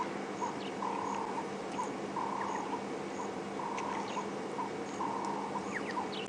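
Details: Ring-necked doves at Djuma Game Reserve, South Africa, on a late-March afternoon safari give hoarse, rhythmic cooing phrases about once a second, over a steady engine-like rumble with thin high chirps from other birds.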